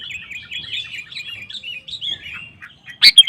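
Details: Sooty-headed bulbul (kutilang) singing in a lively, provoking way to draw other males into song: a rapid run of warbled, bubbly notes around mid-high pitch, ending in a few loud sharp chirps.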